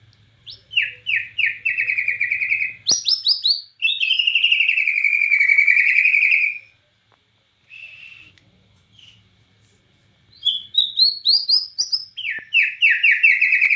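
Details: White-rumped shama from Borneo in full song, imitating cililin: bursts of rapid repeated whistles, a long buzzy trill, a short pause, then high rising notes and more rapid whistled phrases.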